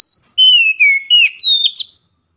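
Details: Kacer, the Oriental magpie-robin, singing its loud 'ngeplong' lure song: a long steady whistle drops into a run of gliding, slurred notes, then rises to a bright buzzy finish.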